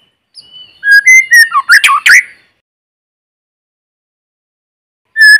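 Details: Lure white-rumped shama in forest, singing to stimulate newly caught birds: one quick burst of sweet whistled notes mixed with harsh squeaky slurs. A long silence follows, then a single whistle starts.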